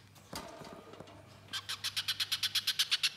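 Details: Little spiderhunter (pijantung pisang) used as a tutor recording for cage birds: some scattered rustling and clicks at first, then a steady run of clear, sharp, high chip notes repeated about three times a second, growing louder.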